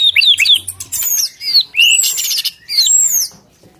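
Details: Captive white-rumped shama singing: loud clear whistled notes that rise and fall, arched high sweeps and quick rising slurs, delivered in three bursts.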